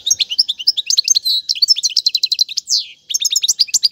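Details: Royal goldfinch song for teaching chicks. Continuous rapid chirping with slurred whistles, rattling repeated notes and one drawn-out buzzy slide, then a brief pause before more twittering.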